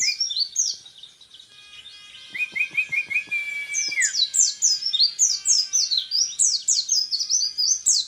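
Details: Sustained 'tembakan repet' rapid-fire song of an orange-headed thrush promoted as a national champion candidate: streams of piercing downslurred whistles, a middle passage of lower repeated chirps and a falling whistle, then a long dense burst.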